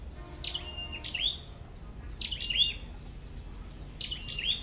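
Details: High, thin flowerpecker calls, red-headed type, recorded while trapping: three paired bursts, each a downward squeak, a short flat buzz and a glinting tick, spaced over a second apart above quiet low noise.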